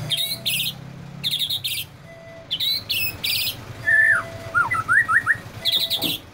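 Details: Agitated white-rumped shama alternates pairs of harsh, rasping scold notes with a brief burst of quick slurred whistles, then returns to the rasping notes.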